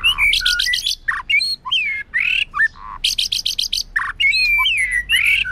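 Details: Female white-rumped shama singing to stimulate males, recorded for training: loud runs of buzzy repeated pulses alternating with rich whistles and slurred notes in an energetic, varied song.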